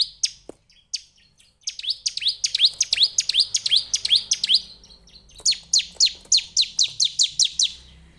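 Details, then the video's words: A Bar-winged prinia (Prinia familiaris) sings bright, high chirps that sweep up and drop sharply, repeated three or four times a second in loud bursts over a quiet background. "Suara Burung Perenjak Jawa / CIBLEK"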